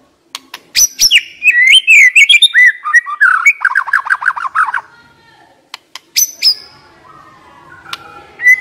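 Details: White-rumped shama decoy bird singing: a rapid run of rising and falling whistled notes, then a long series of fast, even, descending chips. Sharp clicks and brief high notes follow after a short pause.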